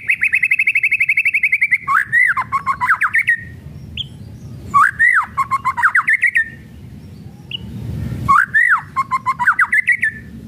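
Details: White-rumped shama in kretekan song style, used as a lure to provoke other shamas into singing: a fast run of about twenty crackling chips, then looping whistled phrases that rise and fall, repeated in three bursts with brief pauses.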